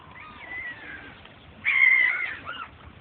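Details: Gull calling: a faint wavering mewing call, then a louder drawn-out nasal mew with a slight downward slide, ending in a short looping note, over steady background hiss.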